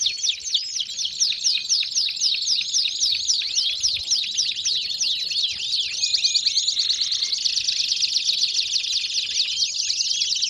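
Belgian canaries singing continuously: fast, bright trills and rolling chirps, high-pitched and overlapping, with rapid repeated notes throughout.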